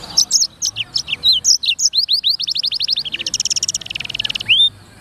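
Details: Black-throated canary in gacor voice: varied whistled chips give way to a rapid accelerating trill, then a buzzy rolling phrase and a final rising whistle.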